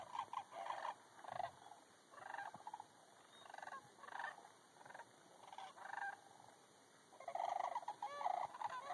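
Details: Sandhill cranes relaxing in a pond near Bosque del Apache, New Mexico; several birds give bursts of rolling, rattling, trumpet-like calls, each lasting under a second and repeated at uneven intervals, with pauses between groups.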